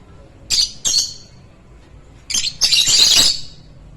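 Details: A pair of white and blue mixed Fischer's lovebirds give harsh, high shrieking chirps: two quick bursts, then a longer chattering run. No other sounds stand out.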